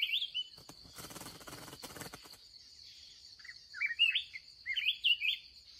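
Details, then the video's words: Red-whiskered bulbul, a spirited wild bird found at the day's final trapping outing; rustling handling noise at first, then clear chirpy warbled phrases in quick succession against a continuous insect whine. "kèo cuối ngày gặp bổi xung"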